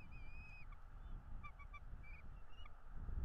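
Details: Nest-camera recording of a bald eagle at its North East Florida nest, 09.02.2022, 11:17: a long high whistle followed by quick staccato chips in a broken series, with low wind and rustling noise beneath.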